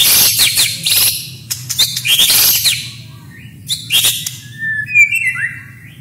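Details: White-rumped shama masteran training song, rich in isian, tembakan and roll of small birds, meant to make rivals drop: harsh buzzy bursts and rattles, then clear whistled slurs and short rising notes, steady low hum beneath.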